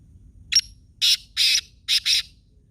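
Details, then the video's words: Black francolin at Khushab calling clearly: a single sharp click-like note, then a pair of long hoarse notes and a tight closing pair of rasping notes. A soft low background murmur runs throughout. "kala teeter khushab gorups mast bulaar"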